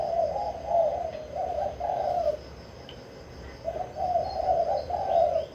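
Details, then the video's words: Spotted dove from Vinh Long cooing in repeated low phrases of soft rolling notes, two bursts separated by a pause of about a second, with faint background hiss. "Cu gáy kích bổi mau nổi"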